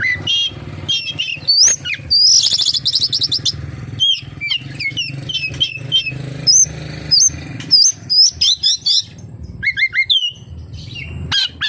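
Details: Oriental magpie-robin song full of kapas tembak imitations: a harsh rattling burst, then a string of short, evenly spaced upslurred whistles and chips, with a low rumbling hum throughout.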